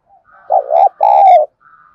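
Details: Decoy spotted dove call, played to provoke wild doves into cooing: a low hollow two-part coo, a short wavering note followed by a longer steady one, with faint softer notes before and after.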